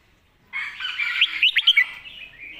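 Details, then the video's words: A red-whiskered bulbul gives a rich, fast run of liquid whistled notes, with several bright rising phrases bunched together, then a softer trailing warble. "เพลงแม่บท นกเสียงทอง#เสียงนกกรงหัวจุก"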